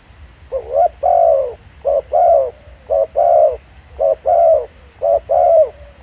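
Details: Spotted dove calling live in the field at Pha Sing, a decoy bird session: paired coos, a short note and then a longer, falling, mellow note, repeated about once a second in a steady rhythm, with a faint low rumble behind.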